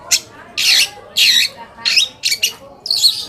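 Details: Long-tailed shrike lure song intended to make other shrikes respond aggressively: a series of broad, grating squawks, each lasting a fraction of a second, given about twice a second.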